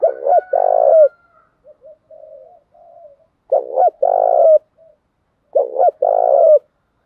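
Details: Male and female spotted doves calling to spur cooing; three low phrases, each a double note and an extended buzzy coo, with soft quiet notes between the first two.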